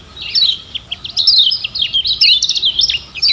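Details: Lemon-bellied white-eye from Lombok used as song tutor for captive birds, delivering a continuous, hurried stream of high, thin twittering notes and quick slurred chirps throughout.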